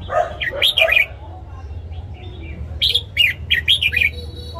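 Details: Morning song of a red-whiskered bulbul, played to train newly caught and young birds: two bursts of bouncy, whistled notes separated by a two-second pause, with a steady low background hum.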